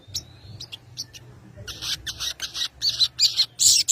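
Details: Sogon bird giving konslet-style song, played to call a rival into answering: sharp, high, thin notes at first, then loud harsh buzzy bursts repeated rapidly, roughly three per second, growing denser toward the end.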